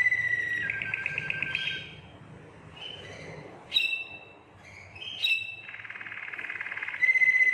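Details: Belgian Waterslager canary singing, a song-bred breed: rattling rolled trills, a few sharp chipped notes, a dip to softer warbling, then a loud buzzy roll ending on a clear whistle.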